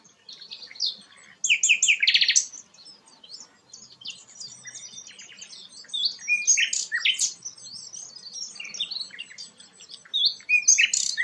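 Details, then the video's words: Energetic song of the flycatcher called sikatan londo. Loud bursts of squeaky high notes alternate with rapid fine twittering, the phrases irregular and dense, with louder bright notes returning near the close. "burung sikatan londo gacor"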